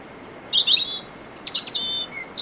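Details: European robin warming up with nocturnal song before dawn in a grove at Bóveda, Lugo: thin, high warbled phrases with quick sliding notes and twitters, over a faint steady high tone.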